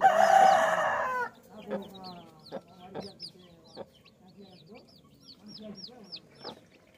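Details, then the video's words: Baby chicks chirping: after a loud, brief lower-pitched call at the start, a run of high, short, down-slurred peeps repeats rapidly, several per second, with occasional soft clicks beneath. "Baby Chicks Chirping Sounds"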